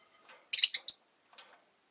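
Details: Rosy-faced lovebird, one of five caged by a window on a winter day, gives a quick string of four bright, high, buzzy chirps within half a second, followed by a softer short chatter.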